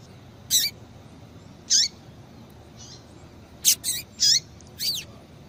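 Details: Female double-collared seedeater giving calls that excite males to sing: isolated high, piercing chirps with falling tails, widely spaced at first, then a tighter cluster of four near the end.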